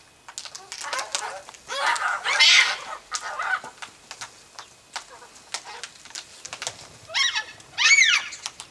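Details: Yellow-tailed black cockatoos in Tasmania, filmed in a front yard one morning, giving harsh, drawn-out wailing screeches that sweep up and down, in bursts around two and a half and eight seconds, with clicks and rustling between.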